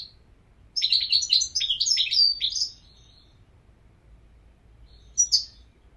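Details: European goldfinch delivering a fast, liquid, twittering phrase of rapid chirps lasting about two seconds, then silence and a short final chirp burst.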